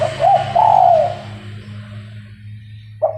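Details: A spotted dove kept to attract other doves for trapping gives one full mellow cooing phrase, clipped notes running into a long soft coo. The start of the next phrase follows after a pause, over a low hum.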